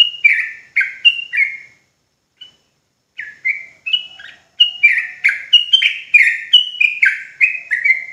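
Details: Trucuk Jawa, sooty-headed bulbul, in fast ropel song used to provoke rival birds: bright falling whistled phrases in quick bursts, a short gap, then a longer unbroken string of downslurred notes.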